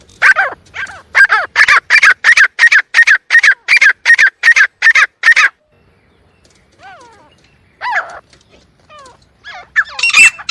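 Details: Partridge sound for hunting, known locally as teetar: a regular series of about thirteen loud, clipped harmonic notes in quick succession, then quieter scattered calls and a final harsh squawk.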